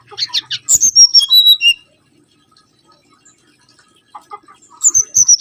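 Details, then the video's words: Lure recording of a mangrove whistler: a burst of high whistled notes falling in pitch, a quiet gap, then the whistled phrase starts again near the end. "PANCINGAN SUWARA💯‼️ BURUNG KANCILAN BAKAU"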